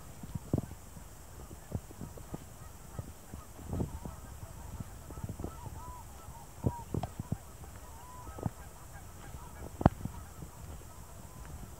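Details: On a cool mid-April morning at the Beaverhill natural area marsh near Tofield, Alberta, distant unseen geese give scattered nasal honks every second or so, some in quick pairs, over steady low wind rumble, with ducks possibly mixed in.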